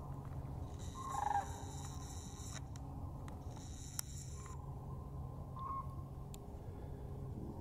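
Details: Sandhill cranes flying overhead a frozen winter marsh give two brief rolling, bugling flight calls, one early and one near the end, over a steady low rumble of stream water running under the ice.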